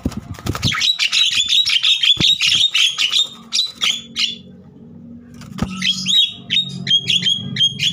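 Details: Javan myna in an agitated, vigorous singing bout meant to prompt young mynas to sing. Rapid high chattering whistles and squeaky notes tumble together, pause briefly near mid-clip, then resume. A low rumble like a passing vehicle sits underneath.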